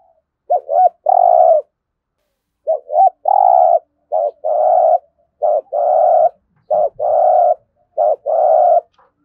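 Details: Decoy-training recording of a spotted dove's 'thúc gù' coo: five repeated phrases roughly every one and a half seconds, each a brief double note leading into a sustained low coo, in a quiet setting.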